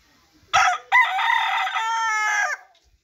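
A single rooster crow: a brief harsh opening note, then a long, loud, harmonically rich drawn-out cry lasting about a second and a half before cutting off.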